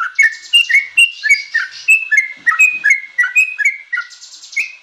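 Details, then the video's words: Young yellow-vented bulbul singing a full, varied song: bubbly, slurred whistled notes dipping and rising, delivered in quick, uneven bursts of about three per second with brief gaps. "MASTERAN TRUCUKAN ANAKAN||FULL ISIAN ||TERAPI BURUNG TRUCUK"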